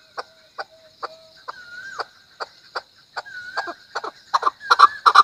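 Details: Chukar partridge giving spaced, dry chuk notes that quicken and grow louder toward the end, with a few drawn-out whistled tones slipped between the clucks.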